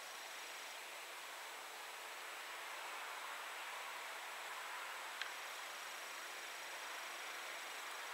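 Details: Steady, faint broadband hiss like wind or rustling leaves fills the whole stretch, broken only by a single sharp click near the end, with no animal voice.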